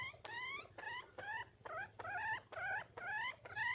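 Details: Calling for a mate, a female red junglefowl utters a steady series of eight or so plaintive, rising, harmonic yelps, roughly two per second, each sliding upward before breaking off.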